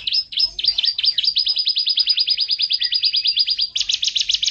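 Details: Canary song meant to train other songbirds. A long rapid series of sharp rising-falling notes, about three per second, ends in a denser buzzy burst.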